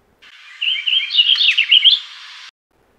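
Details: A Purple Finch sings its song, a rapid, structured, warbled musical phrase of jumbled high notes lasting about two seconds, ending on a couple of brighter, distinct notes.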